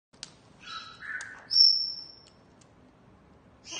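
An Illiger's macaw gives raspy chatter, then one long, high, steady whistle and a final harsh squawk, with light clicks of beads between calls.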